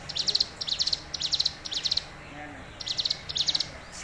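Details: Tame hill prinia in full song, giving evenly paced bursts of rapid, thin, buzzy notes roughly twice per second, with a short lull in the middle, against faint low background noise.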